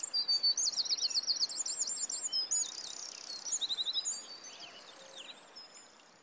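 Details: A Red-footed Falcon at a nest, watched by nest cam in Polgár, Hungary, during the 2024 breeding season, gives shrill, high, rapid, repeated chattering calls with zigzagging trills that fade after about four seconds over faint hiss.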